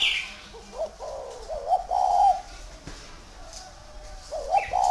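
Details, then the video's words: Spotted dove, a large tamed bird, gives soft, low cooing notes building to a longer hoarse coo, then a pause and a final short coo. Light high chirps come from elsewhere. "CHIM CU TO THUẦN KHÁCH"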